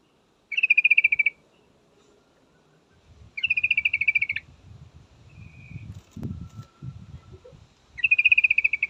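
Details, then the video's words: Female yellow-vented bulbul calling a male, three bursts of fast, even, chattering notes spaced a few seconds apart, with rustling and knocking noises and a faint short whistle between bursts. "suara trucukan betina full memanggil jantan pasti langsung pada nyaut"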